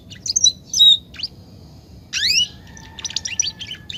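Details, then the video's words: Belgian canary song meant to stir other canaries into singing: clear whistled notes and slurred upward sweeps, then a quick series of short chirps and ticks, separated by brief silences. "canto para esquentar canario belga"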